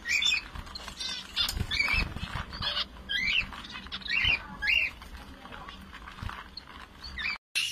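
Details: Finch repeating short nasal upswept call notes roughly every half second to second, with faint rustling and a low hum behind.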